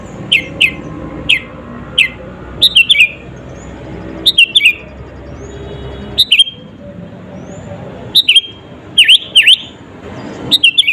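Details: Sooty-headed bulbul in full song, played to make rival birds agitated. It gives irregular runs of short, sweet, swooping chirps, some in tight pairs and triplets, with brief gaps and faint background noise.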